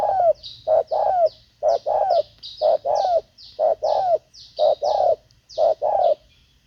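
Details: Spotted dove calling during decoy trapping, giving a regular series of short and long falling coos about once per second, with high thin sweeping chirps from another bird overhead.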